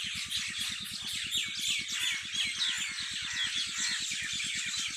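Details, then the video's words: Many birds sing together on a farm in the evening, a dense mix of high chirps and twitters, over a steady, rapid low thumping like a running engine or pump. "Birds singing in my farm at evning شام کے وقت پرندوں کی چہچہاٹ میرے فارم پے"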